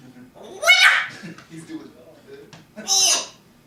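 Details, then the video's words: Pet parrot talking indoors: two loud, harsh, speech-like bursts with bright harmonics, separated by a quieter murmur of low voice-like sounds. "genius parrot"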